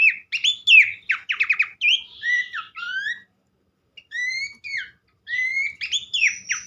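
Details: Horsfield's Babbler song: bursts of rapid, harsh downward trills followed by clean rising whistled notes, with short silent gaps between phrases, in a recording used to draw other babblers into singing.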